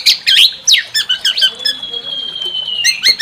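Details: White-rumped shama singing to stir another bird into full song: quick harsh chattering notes and slurred phrases, then a long steady high whistle lasting over a second before more chatter.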